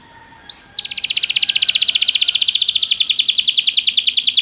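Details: Belgian canary singing for song training: one short upward note, then a long, very fast high trill that grows louder and holds steady for several seconds.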